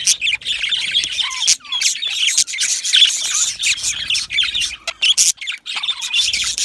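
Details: Yellow male budgies in an aviary colony produce a jumble of squeaky warbles and chirps, including a few short upslurred whistled notes, in fast irregular bursts.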